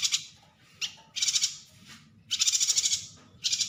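A yuhina gives high, rapid twittering bursts, several short chattering phrases about a second apart, against a quiet background.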